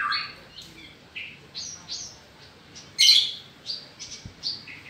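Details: Australasian bushlark (Mirafra javanica), a kept songbird, giving spaced, varied phrases of slurred whistles and chirps, with one loud harsh note near the middle; a faint low knock is heard late.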